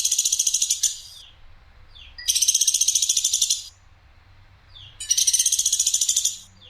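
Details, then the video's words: Woodpecker from Sampit giving clear, rough, sharp 'shooting' calls for masteran tutoring: three loud raspy pulsed bursts, the first cut short, separated by silent pauses of over a second. "PLATUK SAMPIT suara jernih nembak kasar dan tajam"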